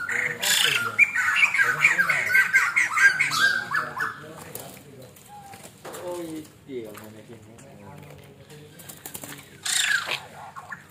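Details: Master song of a white-crested laughingthrush, used for training: a rapid run of repeated, bright whistled notes fills the first few seconds, then gives way to lower harmonic chatter, speech-like sounds and a short final burst.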